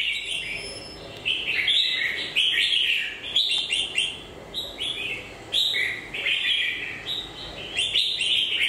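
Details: A moulting-beaked red-whiskered bulbul repeats cheerful whistled phrases, each a quick cluster of up-and-down slurred notes, coming in bursts roughly every second or so for nearly nine seconds.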